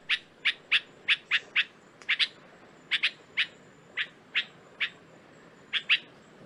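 Red-vented Bulbul giving short, bright chirping notes, loosely grouped in twos and threes, about seventeen over six seconds, against a faint background hiss.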